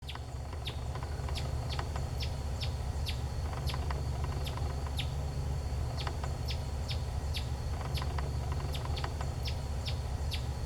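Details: Brazilian tanager in the wild in Brazil's Atlantic Forest, foraging on aroeira fruits in the morning; sharp, short chirps repeated quickly and irregularly, about every half second, over a steady low rumble and insect hiss.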